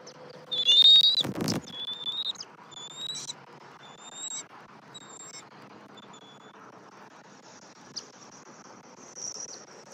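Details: Bald eagle at its nest on a morning when the female feeds a chick and the male brings sticks and nest material. A thin, high whistled note, then a loud thump, then short, high chirps at uneven gaps over a quiet background.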